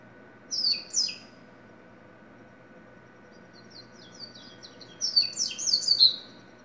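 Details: Song of a double-collared seedeater: two quick high chirped notes, a run of soft ticking notes, then a fast bright warbled phrase of sweeping high notes, with a faint constant hum behind.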